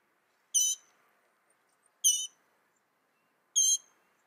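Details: Mockingbird giving three harsh, raspy, high chattering notes spaced well apart, roughly one every one and a half seconds, in an otherwise quiet setting.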